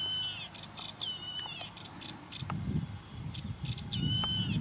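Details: Yellow-eyed babbler, a bird of dry scrubland in India, sings clear, slightly wavering whistles with short chirps between them, over a steady insect hum and low rumbling background noise.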